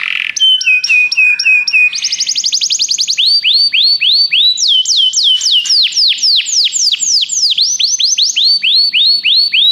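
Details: Pet canary song used to encourage another canary to sing: a few spaced high notes, then long runs of quick, sharply descending whistled syllables repeated about four per second, the tours shifting in pitch.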